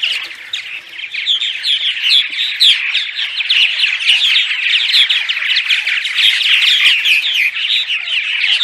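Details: Purple martins in a studio recording of dawn song for luring migrating birds to nest sites: a busy stream of bubbling, chirruping notes, many voices overlapping, a few quick notes per second, fairly even in volume.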